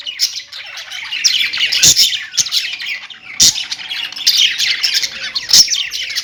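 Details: A group of pet budgerigars chirps and warbles steadily, high twittering notes layered thickly, with occasional sharp knock-like clicks.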